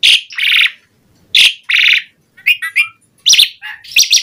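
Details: Varied gacor song of an Asian pied starling, played as a lure for other starlings: two pairs of grating, buzzy bursts, then quick chattering notes and high squeaky chips.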